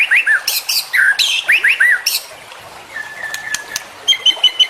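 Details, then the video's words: White-rumped shama song: looping whistled slurs and loud high bursts, then a lull with level tones, closing with a short run of high repeated notes. "Masteran Murai Batu Full Isian"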